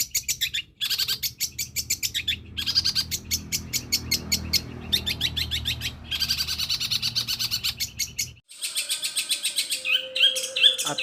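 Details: Long-tailed shrike imitating gereja petir, kunti and tengkek buto in a sustained run of quick scratchy chirp bursts and trills, over a low rumbling background for several seconds, ending with thin whistled notes.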